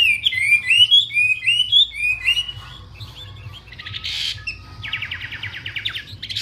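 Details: Wambi bird in lively song: quick run of slurred, rising-falling whistles for two seconds, followed by harsher buzzy rattling bursts of rapid pulses, with a faint low hum throughout.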